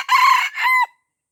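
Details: Junglefowl from Aceh, Indonesia, hemmed in by young birds and unwilling to fight, finishes a crow: a long raspy, buzzy note breaks into a steadier, drawn-out closing note that fades quickly. No other sounds are heard.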